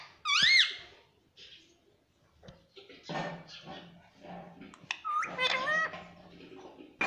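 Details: Indian ringneck parakeet, a pet talking parrot, mimicking the word "mummy": loud rising squeaky whistled syllables at the start, then quieter chatter and speech-like sounds, another squeaky rising phrase near the end.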